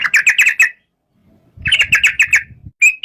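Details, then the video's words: Yellow-vented bulbul (trucuk) giving quick runs of bright chirping notes, a short pause, then another rapid series and a final clipped note, with faint low thumping beneath. "Suara kicau burung trucuk"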